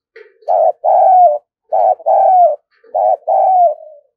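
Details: Decoy spotted dove cooing to lure wild doves: three low, hoarse coo phrases, each a short burst then a longer note that slides down slightly, spaced about a second apart. No other sounds.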